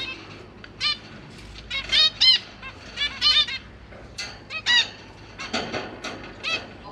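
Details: Zebra finch family in a large cage, parents busy feeding their young, January 2023, GoPro Hero 8: separate short nasal, harmonic calls come in irregular clusters with quiet gaps between them.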